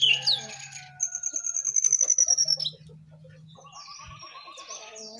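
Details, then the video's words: A jongkangan on top of its cage sings a bright, fast, high trill of rapidly repeated notes, then softer, quieter warbling, with a low hum in the background. "Jongkangan Gacor Di atas Sangkar"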